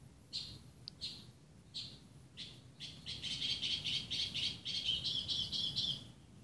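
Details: Northern mockingbird singing in the early morning at a house in Burbank, California, on 1 July 2016: a few spaced high notes, then a fast run of repeated chattering notes, distant against a low background hum.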